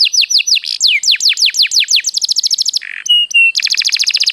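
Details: Canary song used to coax other birds into song: quick downslurred notes, a buzzy rattling trill, a brief harsh burst, a steady pure whistle, then a fast metallic trill.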